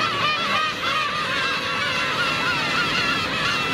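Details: Adult black-tailed gulls cruelly attacking a gull chick, recorded with a Panasonic 4K camcorder: constant chorus of nasal, wavering calls from many gulls overlapping without pause.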